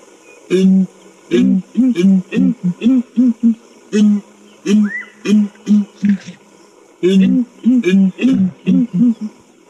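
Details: Ground hornbills giving their deep, booming chorus call, which carries several kilometres, played back as a recording: low hollow booms in quick paired and tripled groups, pausing briefly, with one short higher rising whistle midway.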